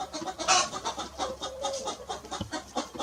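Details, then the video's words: A hen clucks steadily, with short, throaty notes coming several times a second and one sharper, higher squawk early on. "hen clucking"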